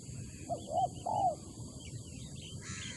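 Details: Coo call of a spotted dove from Malaysia, a soft short note leading into a longer, louder arched coo, heard once, with thin high chirps of other birds behind it.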